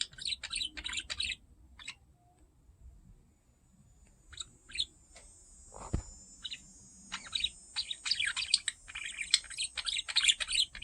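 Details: Pet budgie, curious about the camera, giving bursts of high chirps and warbles, then a quiet gap of a few seconds with a single click, followed by busier, denser chattering toward the end.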